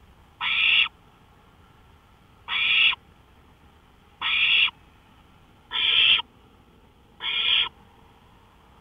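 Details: At 1:53 AM on May 5, 2013, an owl on a porch repeats short, noisy hissing screeches. Five full bursts and the start of a sixth come about every one and a half seconds.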